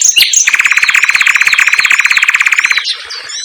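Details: Common nightingale singing in a simple aviary cage gives a few sharp high notes, then a loud rapid rattling trill of about two dozen fast pulses lasting two seconds, ending in thin chirps.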